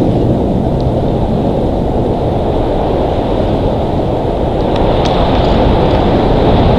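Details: Loud continuous wind buffeting the microphone, roaring across low pitches without any distinct calls.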